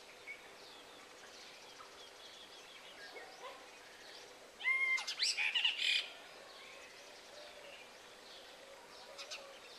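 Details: Brahminy myna attacking house sparrows at their nest: a sudden loud burst of harsh, squawking and chirping notes lasting over a second, with faint scattered chirps before and after.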